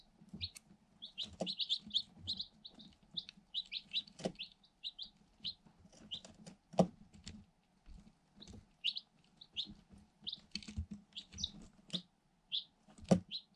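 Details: Group of eight one-day-old Light Sussex chicks inside a cardboard box giving frequent quick high cheeps and peeps throughout, mixed with soft pecking taps, scuffling and a low background hum.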